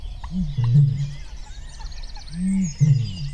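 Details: Male Eurasian bittern booming in a reedbed at RSPB Ham Wall, UK, early morning, to see off rival males and attract a mate: deep, low foghorn-like booms in two bouts, with faint higher bird chirps behind.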